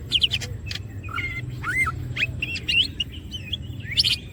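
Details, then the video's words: Greater green leafbird, wings open, singing energetically: varied slurred whistles and sharp chirps, rising and falling swoops and short buzzy notes in quick succession, over a steady low hum. "green cucak birds open wings siip and gacor materials"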